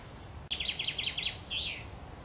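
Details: Eurasian wren at its nest near Worthington Lake, Standish, Wigan, where the mother feeds her young. A quick run of about eight high, clipped notes ends in one longer, slurred note. A sharp click sounds just before the run.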